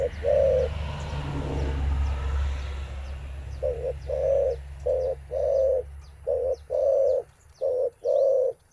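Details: Spotted dove, mostly a male sound made when meeting a rival to test strength: after a few seconds of low rumbling noise, paired hollow coos, short then long, repeat steadily, with light high bird chirps in the background.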